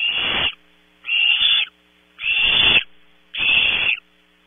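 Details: Barn owl owlets in a nest at Audubon Starr Ranch, California, competing for prey delivered around 3 a.m.: harsh, hissing screeches about half a second long, four in a row roughly a second apart.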